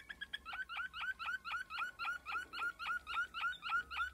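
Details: Waterslager canary (Malinois) repeating loud, clear bubbling water-like notes at a steady pace, about three to four each second.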